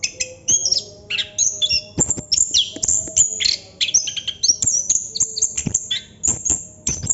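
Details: Continuous ngerol song of a chestnut-capped thrush: dense, rapid chatter of high whistles, trills and squeaky notes running without a break.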